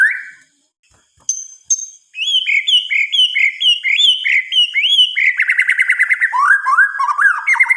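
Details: White-rumped shama singing at night: after a short whistle and pause, a run of rapid repeated rising-falling whistled phrases, then faster trilled notes and lower sliding whistles, with no other clear sounds.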